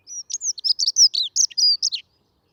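A dunnock sings a fast, hurried warble of high, thin notes, tumbling quickly over about two seconds with no other sounds.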